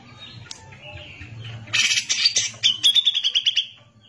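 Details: Grey-cheeked bulbul singing for a training master recording: a raspy harsh outburst followed by a quick series of about a dozen sharp repeated notes, fading at the end over a faint low hum.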